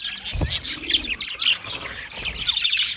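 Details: Budgies chirping together, a dense chatter of high, quick tweets and warbles with short whistled notes scattered through, plus a faint low murmur underneath.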